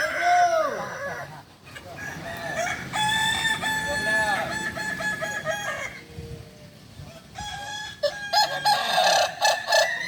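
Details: Kukuak Balenggek roosters trained together in Ampang Kualo, Kota Solok. A rising and falling crow opens, then further long crows overlap in waves, with a quieter stretch before more crowing resumes near the end.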